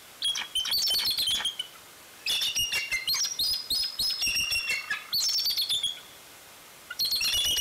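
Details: Bald eagle at the nest at Fraser Point, 16 February 2019, giving loud, high, piping chatter: bursts of rapid, harmonic-rich chirps, with three main series separated by short pauses.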